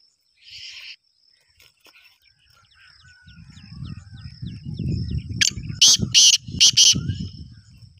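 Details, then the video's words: Black francolin in full breeding condition, calling fast and loud: a quick series of about five harsh grating notes near the end, over low rumbling voices or handling noise and a steady thin high tone. "Black teeter full mast"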